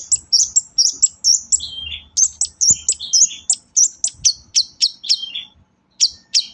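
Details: Lure song of a long-tailed shrike for prompting reluctant shrikes: a steady series of sharp high chirps, each followed by a brief falling slur, about three per second, then a short pause.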